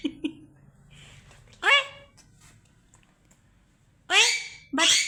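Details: Pet parrot in a room copying the word "oye", three loud grating descending calls against low background hum, two of them close together at the end.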